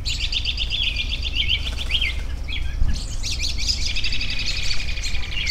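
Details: Birds twittering outside: rapid, dense, high-pitched chirping phrases running almost continuously, with a brief rustle partway through and a steady low background hum.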